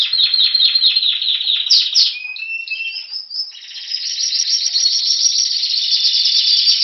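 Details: Spanish Timbrado canary, February 2016, Anavissos near Athens, Greece, singing while waiting for spring: rapid falling chirps, a brief pure whistled note, a short pause, then a steady fast metallic trill to the end.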